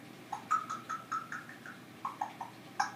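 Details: A pet female African grey parrot (Psittacus erithacus) making everyday unusual noises: quick, soft, mid-pitched chirps and clucks, about four a second, ending in a sharper squeak, in a quiet room.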